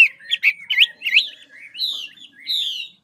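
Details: Caged Chinese hwamei from Lạng Sơn, Vietnam, a large wild-caught forest bird in training, sings clear whistled phrases: rising and falling slurred notes around the upper-middle register, then longer descending whistles with short pauses between them.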